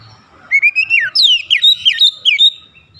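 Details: Lure song of an Oriental magpie-robin, played to provoke other magpie-robins into singing: a rapid run of clear whistles, a rising glide followed by quick downward-slurred notes, over faint low background hum.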